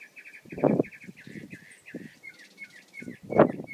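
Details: Mockingbird song of varied chirping phrases, each repeated a few times before changing to a different note, with slurred downward notes near the end and intermittent low thuds.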